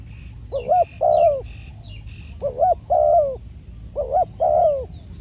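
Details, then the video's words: Trained decoy spotted dove calls on a trapping outing, with repeated phrases of a short rising coo followed by a longer wavering coo, three phrases about every 1.7 seconds. Faint higher chirps from another bird are heard between them. "ต่อนกเขาใหญ่ พานกฝึก เจ้าอันาดามัน ออกฝึกเก็บเชลยแต้มแรกกได้สำเร็จเชลยเสียงเล็กคูดี"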